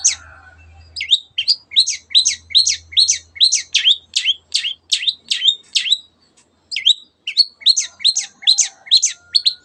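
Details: Long-tailed shrike singing hard to provoke other birds into song: a long rapid run of sharp, rising-and-falling chirped notes, over two per second, pausing briefly before resuming, with a low hum early on.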